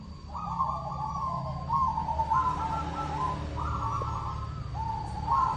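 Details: Local zebra dove calling to lure and provoke rivals: a run of mellow, stepped cooing notes, rising and falling in short repeated phrases, against a continuous low rumble and a thin steady high whine.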